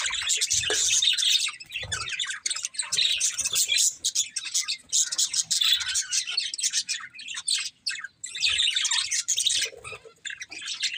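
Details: A group of budgies keeps up a long run of bright, chattering warbles and sharp tweets, with brief lulls and a few low knocks in the background.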